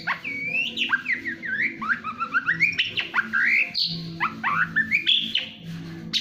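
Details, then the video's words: Long-tailed shrike, a national champion bird, singing in the fast 'speed' style: a rapid run of varied whistled notes, sweeping slurs and sharp upward chirps, with a steady low hum in the background. "Suara kicauan speed burung cendet/pentet juara nasional"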